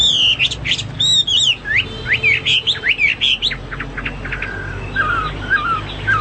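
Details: Hwamei song used for teaching pet birds: bright whistled phrases and sharp upswept notes in quick succession, followed by softer, lower warbled whistles.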